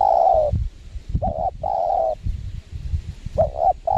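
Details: Spotted dove calling while being lured on a windy site in Lombok, giving deep hollow coos in short and drawn-out notes, with wind rumble beneath.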